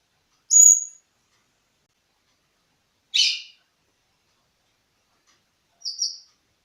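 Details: Siberian thrush lure call meant to prompt a young bird to answer: three short, high phrases about two and a half seconds apart, a thin whistle, a buzzy burst, then a clipped double note, with silence between.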